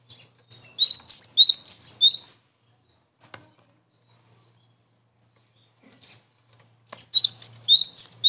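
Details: Lure recording of a cinereous tit (gelatik batu) for trapping and song training: a quick run of five or six sharp two-note whistles, a pause with faint clicks, then another matching burst of bright repeated phrases.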